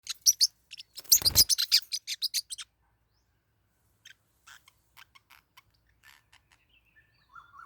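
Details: Forpus parrotlets kept as pet birds, fighting: a burst of sharp, high chirps with a dull thump, then scattered faint, short ticks and a brief higher whistle near the end.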